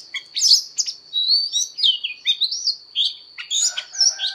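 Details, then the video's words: Oriental magpie-robin training its voice in fighting song: loud, varied whistles, some swooping up and down, mixed with rough, buzzy notes near the end, with a continuous faint high-pitched tone underneath. "Choè than hót đấu/Choè than hót luyện giọng căng lửa/Choè than hót"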